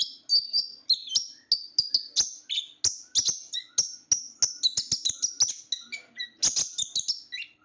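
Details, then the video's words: Sunbird called konin or ninja bird, a small blue-plumaged songbird kept for its loud, shrill voice, delivering steady high-pitched chips and short whistled slurs at an even pace, punctuated by crisp ticking clicks throughout. "suara burung kolibri gacor"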